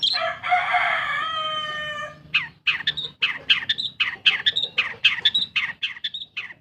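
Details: Long-tailed shrike, a pet bird, singing as a lure for silent birds: a harsh grating squawk for two seconds, then a run of scratchy descending notes about once per second.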